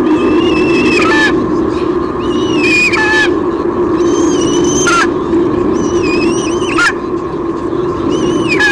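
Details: White-bellied sea eagle pair at Sydney Olympic Park, Australia, 23 June 2016, on a nest camera. The female squeals as the male brings a fish, giving repeated thin, rising and sharply falling cries roughly every one to two seconds over steady hum.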